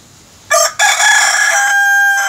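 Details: Domestic rooster crowing loudly: a short harsh opening syllable, a brief break, then a long strained, buzzy drawn-out note that holds steady before a final clipped tail.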